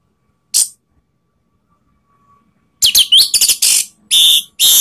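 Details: Orange-headed thrush song played to provoke rivals: one brief high note, a pause, then a dense burst of sharp, fast repeated chips and whistled slurs, about two notes per second, ending in harsh high bursts.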